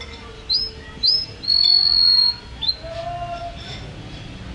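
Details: Champion canary singing: a few high whistled notes, short upward-swept chirps followed by a long steady whistle and a lower held tone, with faint background hiss.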